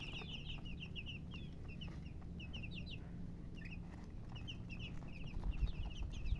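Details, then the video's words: High, sharp peeping from colored chickens comes in irregular clusters of quick chirps, roughly 87 a minute, with a steady low hum below. "silly chicken chirping sounds with murgi hen color chicken"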